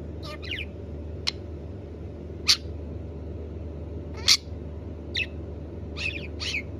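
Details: A blue budgerigar gives short, bright, scratchy chirps at uneven intervals over a steady low hum.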